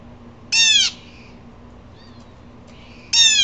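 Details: Two loud, harsh, raspy screams from an upset blue jay, about two and a half seconds apart. A soft short note falls in between, and a faint electrical hum runs below.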